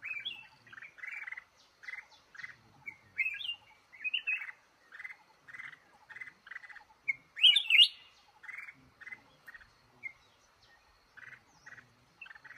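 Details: Male red-whiskered bulbul in a trap in a cashew orchard repeating short buzzy chirped notes in steady runs, broken by brighter warbled phrases and one loud burst.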